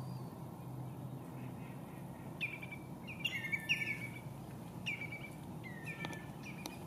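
Bar-tailed godwit giving short nasal, slightly downslurred calls, singly and in quick clusters, over a steady low rumble of wind or surf.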